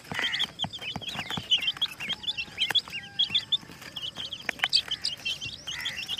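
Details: Brightly colored hen chicks giving a steady chorus of thin, descending peeps, several birds calling at once with quick, overlapping notes throughout.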